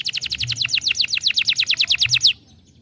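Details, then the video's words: Young canary song for stimulation: a quick, steady run of short descending whistled notes, about seven per second, lasting over two seconds before stopping abruptly. "estimula rapidamente o som de um jovem canário"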